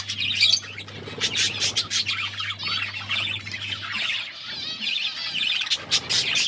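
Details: Several pet budgerigars eating food, chirping constantly: dense warbling and chattering with rapid high squeaks and buzzy notes, overlapping voices, with a steady low hum in the background.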